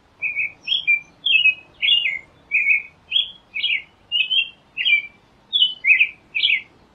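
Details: American robin singing a steady run of about a dozen short, clear whistled phrases in seven seconds, each rising and falling slightly, delivered at an even caroling pace over a quiet background.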